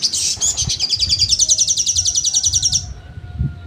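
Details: Sogon singing a trotol song for songbird training: a long, very rapid, high-pitched trill of evenly pulsed notes lasting nearly three seconds, then stopping, leaving faint thin tones.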